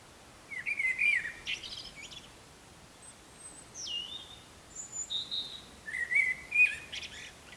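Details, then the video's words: Predawn song of a Eurasian blackbird in darkness, with a European robin singing behind; short mellow warbled phrases alternate with high thin whistles and slurred notes, separated by brief pauses over faint background hiss. "Mustarastas laulaa aamulla ja taustalla laulaa punarinta"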